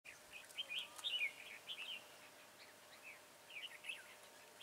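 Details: Red-whiskered bulbul used as a decoy for trapping wild bulbuls, recorded 22 January 2018: quick, bright, warbled chirps in short bursts, several a second, over steady background hiss.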